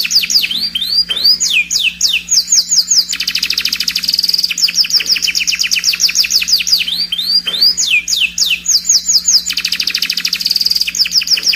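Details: Scotch Fancy canary singing a loud, continuous song of rapid repeated trills, sweeping whistled notes and buzzy rolls, phrases recurring about every five seconds; a steady low electrical hum underneath.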